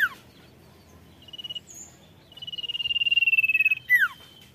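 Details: Sirtu song: a falling slurred note, a brief soft trill, then a loud sustained high-pitched rattling trill that builds steadily before a sharp descending note.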